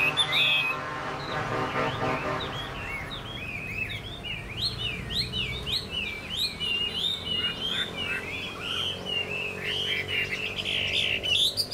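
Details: Long bout from a caged Chinese hwamei: after some low background murmur, rapid zigzagging whistles build into a continuous, varied warble that grows louder toward the end.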